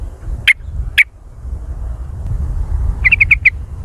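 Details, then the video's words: Yellow-vented bulbul, called trucukan, jontrot style: two loud separate chips, then a fast string of five bright notes, with low rumbling noise beneath. "Suara trucukan jontrot"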